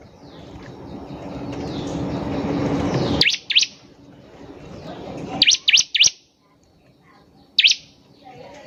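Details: Bar-winged prinia used as a lure to get other birds singing: after several seconds of loud rushing noise, sharp high chirps in quick pairs and triplets, then a single chirp after a pause.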